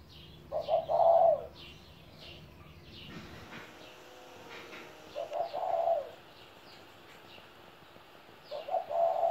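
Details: A 17-year-old spotted dove kept as a pet gives three soft coo phrases, each with brief notes and then a drawn-out hollow coo. A short noisy rustle interrupts between the first two, and high bird chirps continue throughout.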